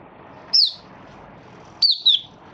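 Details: Malaysian Mata Puteh (Oriental white-eye), a kept hobby bird in minor moult, recorded 24 August 2023. Two brief high whistled notes, each sliding downward, with a quiet gap between them over faint background hiss.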